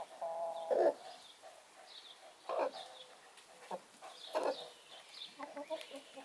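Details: Brahma broody hen away from her nest, running around and calling: a drawn-out nasal note followed by short harsh clucks roughly every two seconds, separated by quieter stretches.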